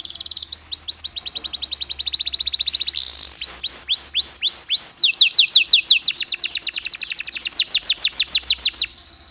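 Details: Canary singing a long stimulus song to rouse other canaries: fast, evenly repeated whistled notes sweeping downward, then a short buzzy burst and swift, rising-falling trilled series. The rolls change pace, running until a pause at the end.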